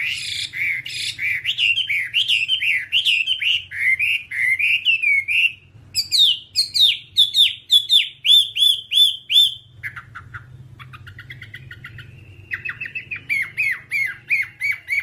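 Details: Chinese hwamei (whambie) song used as a tutoring recording for caged songbirds: loud whistled phrases, rising and falling slurs repeated quickly, then sharper downslurred notes and a fast trilled run, over a low steady hum.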